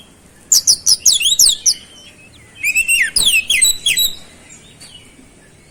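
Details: Energetic oriental magpie-robin song with flowerpecker mimicry fill: a quick run of steep, piercing descending whistles, a short gap, then a second chattering burst of bright slurred notes and a faint lone chip.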